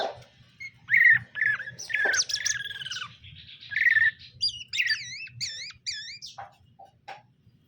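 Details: A male and female greater green leafbird being paired in captivity: harsh chattering and buzzy notes, followed by a run of wavy whistled phrases repeated in quick succession, then a few short clicks.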